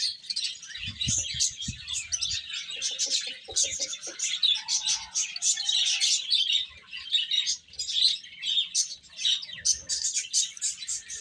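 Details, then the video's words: Young chickens feeding: a steady wash of sharp, high chirps from many chicks, a few softer lower notes early on, and some muffled thumps. "Cute Chicks Chirping Sounds | Little Baby Chicken Eating"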